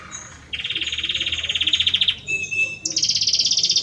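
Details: Belgian canary, a male, in song for his mate: a long even rolling trill, a short clear whistled tone, then a higher fast buzzing roll.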